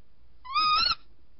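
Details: Tawny owl calling at night on 14 January 2019 during a second visit: one brief harmonic call that rises at the start and then levels out, lasting about half a second, with faint low rumbling beneath.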